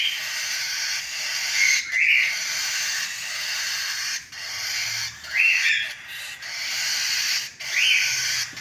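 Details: Cockatiel chicks crying for food. A continuous harsh, hissing rasp runs throughout, broken by short pauses, with a few rising squeaky notes near two, five and a half, and eight seconds.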